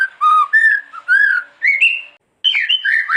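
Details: White-rumped shama (murai batu) master recording meant for other shamas to learn from: pure, fluty whistled notes in short separate phrases, rising and falling, with a short gap before a last higher run.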